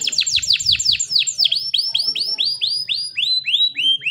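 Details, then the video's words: Caged canary in energetic full song, meant as a master song to teach young canaries and rouse quiet ones: a rapid series of steeply falling whistled sweeps, then slower rising-falling arched notes repeated about three times a second. "KENARI GACOR ‼️ COCOK UNTUK MASTERAN KENARI PAUD DAN PANCINGAN KENARI MALAS BUNYI"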